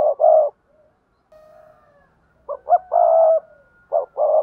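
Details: Spotted dove coos in the 'gáy thúc gù' and 'gáy gọi' styles: low, throaty two-note phrases and a longer held coo, with a faint steady tone in the background.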